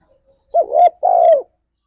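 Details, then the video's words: A spotted dove (tekukur), in a recording meant as lure audio to spur kept doves to sing, gives two soft, low, hollow coos, the second longer and steadier, in a quiet setting. "Suara Burung Tekukur Ini Pancingan Tekukur Gacor Suara Ngalas"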